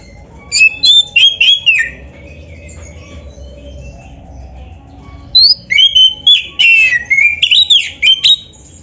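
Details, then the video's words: White-rumped shama (kacer) singing in loud bursts: sharp whistled and buzzy notes, a pause of several seconds, then a fast run of varied slurred phrases, with a low hum behind. "SUARA BURUNG KACER GACOR ISIAN‼️Masteran Kacer Gacor ini Cocok Buat Pancingan"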